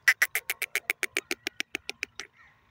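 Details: Grey francolin giving a rapid run of about fifteen harsh, clipped notes, roughly seven per second, growing steadily quieter, ending with one soft, faint drawn-out note.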